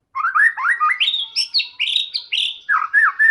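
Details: White-rumped shama delivering continuous varied song to coax other shamas into singing, with rising slurs climbing to high whistled notes, quick descending phrases and repeated looping calls throughout.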